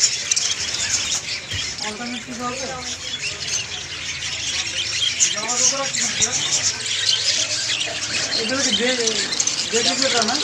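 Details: Group of budgerigars singing in a busy chorus: overlapping high chirps and squawks with short rising-and-falling warbled phrases, bursts coming in quick irregular runs and growing slightly louder toward the end.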